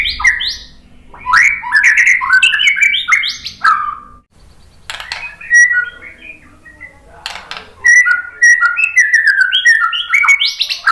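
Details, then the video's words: White-rumped shama song used as a lure to prompt other birds to answer: varied loud whistled phrases with rapid rising and falling notes, mixed with sharp chattering bursts. "KICAUAN MURAI BATU bikin BUNYI NYAUT JADI GACOR BONGKAR ISIAN ¦ PANCINGAN MURAI ¦ SHAMA BIRD"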